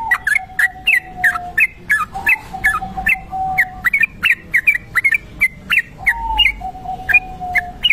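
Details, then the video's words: Kebo-type Sooty-headed bulbul delivering a long ropel song meant as a lure: steady stream of clear, bouncing whistled notes roughly two per second, accompanied by an intermittent low sustained whistle. "trucuk kebo ropel panjang"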